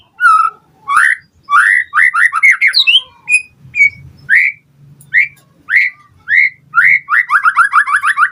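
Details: White-rumped shama song meant to provoke other birds to respond: clear rising whistles repeated in runs, ending in a rapid series of about ten upslurred notes, with a faint low hum behind.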